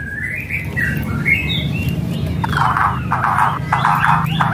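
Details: White-rumped shama whistles and rattles used to provoke a quiet bird into singing: a few clear rising and falling whistled notes, then a run of harsh, rasping rattle bursts, over a steady low hum.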